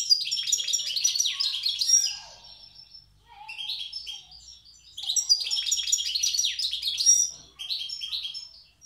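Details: Wild European goldfinch from Tiaret singing in the old song style: bright, rapid twittering phrases full of tinkling notes and buzzy trills, two long bursts separated by a quieter stretch of softer chatter.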